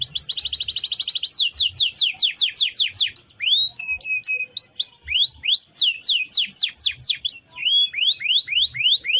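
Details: Long-rolling canary song for daily training of other birds: a fast rattling trill, then a steady stream of rapid downward-sweeping whistled notes with brief flat tones, continuous throughout.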